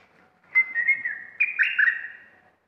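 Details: Caged red-whiskered bulbul kept for competition, described as especially fierce this week, produces a longer drawn-out whistled phrase that steps up, then warbles and trails away.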